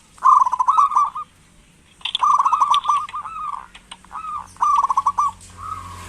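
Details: Local zebra dove calling to stimulate lazy doves into calling: rapid stuttering coos broken into quick pulses, then longer rolling trills, delivered in bursts about a second long separated by pauses.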